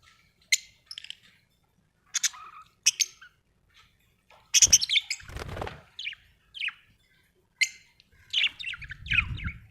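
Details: Happy budgie giving scattered short chirps and scratchy warbling notes, with a louder chattering burst midway and some low rumbling noise near the end.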